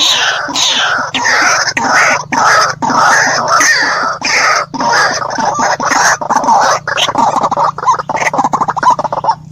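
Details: White-breasted waterhen calling loudly with rough, nasal croaks repeated in quick, rhythmic series, each note short and harsh, with brief gaps between phrases and a faint steady hum beneath.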